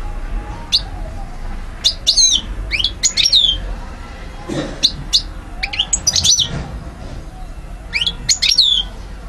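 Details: European goldfinch, parva subspecies, Algeria, 2012, delivering clipped phrases of bright, sliding chirps in separate bursts a second or two apart, with quiet gaps and a low hum beneath.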